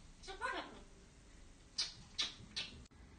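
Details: A grey parrot that talks some 200 words says a short word, then "push up, push up, push up" as three quick, hissy syllables about half a second apart, in a quiet room.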